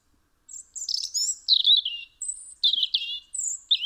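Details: December 2019 window recording from Eibar, Gipuzkoa, of a European robin singing: varied thin, high whistles alternating with descending warbles and short sliding notes, delivered in separate bursts with little background noise.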